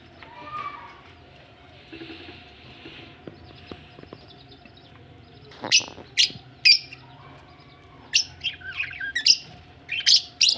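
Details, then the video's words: Budgerigars said to be ready for laying eggs; after a quiet, faintly humming start, sharp high chirps and short scratchy notes come in bursts during the second half, with gaps between them. "budgies ready for laying egg"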